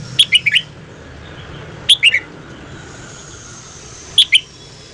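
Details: Morning song of a red-whiskered bulbul: three crisp phrases of lilting, quickly warbled notes, the first with four notes and the last with two, separated by quiet gaps of about two seconds.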